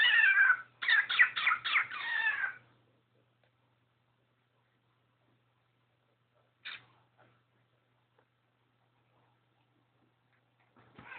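A cockatiel gives a drawn-out, meow-like cry, then a quick run of nasal, stuttering notes.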